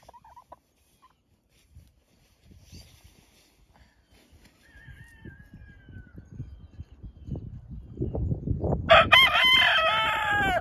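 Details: Rooster protecting a barred rock hen. Soft scuffling and rustling build up, with a faint whistle partway through, before a loud, rich crow begins near the end and is cut off.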